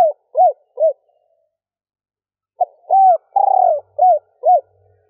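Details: Female spotted dove in a stuttered three-ending coo aimed at exciting males: three arched coos, a long pause, then a short note, a hollow coo, a long quavering coo and two more arched coos.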